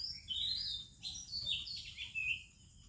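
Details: Oriental magpie-robin singing in the morning in India: loud sweet whistled phrases, slurred and warbling, in three or four bursts, over a faint steady hiss.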